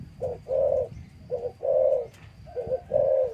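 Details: Captive spotted dove in a breeding cage, cooing near the female: low, hollow coos in three pairs, each a short note followed by a longer drawn-out one, the pairs spaced about a second apart; a faint high tone runs through the background.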